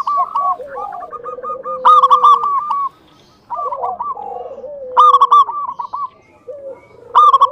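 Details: Zebra dove, a local bird, sings to draw other doves into calling and performing; soft falling coos lead into bursts of rapid, clipped, stuttering notes, repeated in phrases separated by brief silences.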